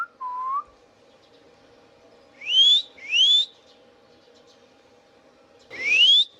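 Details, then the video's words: Indian ringneck parakeet at home giving a low upslurred note, then a pair of bright rising whistles and, after a pause, a third louder one. "Indian Ringneck parrot natural sounds | Ringneck parakeets sounds video"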